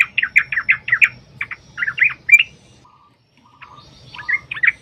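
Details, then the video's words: Sooty-headed bulbul song used as a lure to make other bulbuls sing: bursts of bubbly, warbled notes around the upper-middle range, quick repeated phrases, a brief pause, then more chattering phrases. "Pancingan Trucukan agar bunyi jadikan Burung Trucuk Gacor EMOSI"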